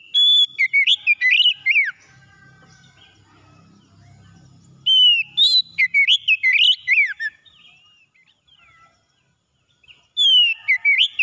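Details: Morning song of an oriental magpie-robin in two loud bursts of varied whistles, slurs and chirps with a quiet gap between them, then a third phrase begins. A faint low hum sounds in the background.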